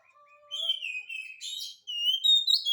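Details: Oriental magpie-robin in 'gacor' song played to make reluctant birds answer: soft low whistles leading into long sliding whistled notes, a harsh burst, then bright high whistles.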